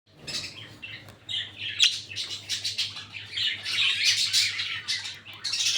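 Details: Lutino and albino red-eyed budgerigars, a caged breeding pair, chattering continuously with dense, scratchy high warbles and squawky chirps that rise and fall in bursts, steadier and louder toward the end.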